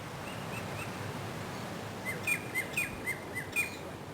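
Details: White-breasted woodswallow (Artamus leucorynchus) in tropical north Queensland, Australia, June–July, a gregarious insect-hawking bird: short, sharp chirps, faint at first, then a louder run of about six notes roughly every third of a second, over steady background hiss.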